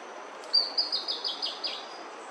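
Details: Bertoni's antbird singing while foraging on bamboo in Brazil: a short series of six raspy, high notes, each slightly lower and buzzier than the last, over faint steady background hiss.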